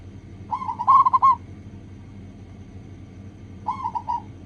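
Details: Local zebra dove song used as a lure so other doves sing fast: a loud phrase of quick, stuttering trilled coos, then a long quiet gap and a softer three-note rolling phrase, over a low hum.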